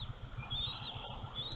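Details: On the morning of March 29, a hungry Bald Eagle eaglet, E8, in the Minnesota DNR EagleCam nest gives thin, high, run-together chirps for breakfast as its mother arrives, over a steady low rumble of wind on the microphone.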